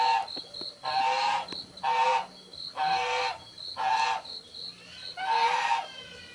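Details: Juvenile spotted dove calling repeatedly: six rough, harmonic bursts, about one each second, some ending in a rising note. A constant insect-like pulsing runs underneath.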